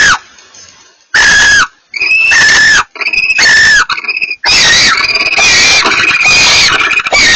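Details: A pair of barn owls communicating: loud, harsh, rasping screeches in bursts of under a second to several seconds, some overlapping, with short gaps of silence between them.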